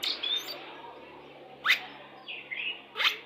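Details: Song of a Pastol-type white-rumped shama, played as a lure when pairing birds to bring them into breeding condition: a few sparse, sharply rising sweeps and short whistles separated by gaps of over a second.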